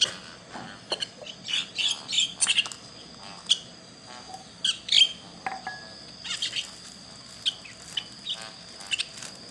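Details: Young birds chirping: clusters of sharp high chirps and brief trills, irregular over ten seconds, with a faint steady high buzz in the background.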